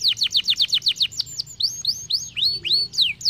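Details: Canary song meant to stimulate singing: a quick run of repeated downslurred whistled notes, then slower rising and arching whistles, clear and high-pitched.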